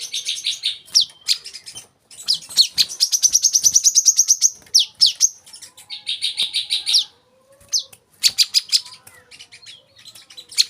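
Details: Olive-backed sunbird singing, recorded as masteran for caged birds: fast high-pitched trills with stuttering notes and quick downward sweeps, run together into long chattering phrases with short gaps.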